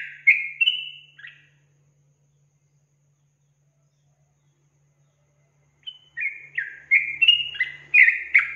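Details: Song of a sooty-headed bulbul, used to rouse young bulbuls. A quick cluster of liquid whistles, a long pause, then another brisk run of slurred whistled notes.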